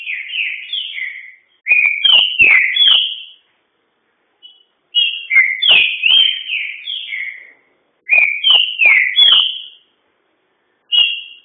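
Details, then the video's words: Green-winged saltator in a fast, vigorous song; loud, rich whistled phrases of slurred rising and falling notes, each phrase about a second and a half long, separated by short pauses. "Trinca ferro Bandido dando show."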